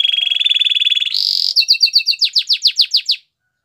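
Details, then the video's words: Canary singing for training: a long pulsed rattling trill, a short harsh buzz, then a string of crisp descending notes at about four per second before silence. "The most spectacular canary song!!"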